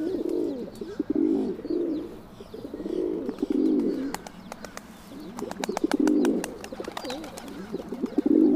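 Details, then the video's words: Feral pigeon (Columba livia) giving low, throaty rolling coos in several swelling bursts about a second long, with sharp clicking taps in between and faint high chirps from small birds. "Kesykyyhky - Columba livia - Feral Pigeon - tamduva"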